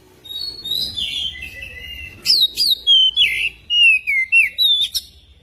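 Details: Magpie-robin singing, used to coax a magpie-robin into song. Soft warbling opens, then a burst of loud whistles follows, sharp and sliding downward, about eight notes in three seconds, over faint low hum.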